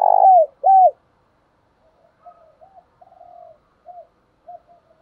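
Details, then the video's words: Caged spotted dove cooing to prompt other doves: two loud, rounded, arching coos in quick succession, then a series of soft, low, short coos. "cu gáy bài bản bổi nghe là gáy"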